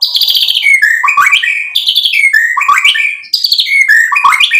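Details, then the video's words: White-rumped shama, a lively singer used to provoke other birds into song: loud, continuous phrases of descending slurred whistles and chattering notes, repeated roughly every one and a half seconds. "MURAI BATU GACOR MEMANCING EMOSI JADI NYAUT BUNYI BONGKAR MATERI ISIAN"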